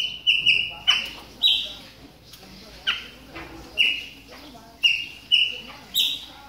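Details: Caged Chopi blackbird in moult, warming up: short bright whistled calls, some doubled, at uneven intervals through six seconds, with soft indoor background noise.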